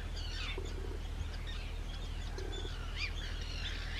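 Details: Breeding colony of Arctic terns on Rottumerplaat, Netherlands, on 4 June 2023; hoarse descending calls and chattering from many birds overlap above steady low wind or surf noise.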